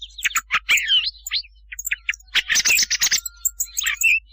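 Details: Thrush sound for luring birds at night for hunting: clear whistled chirps and a looping slur, then a loud dense burst of scratchy notes and a final twitter.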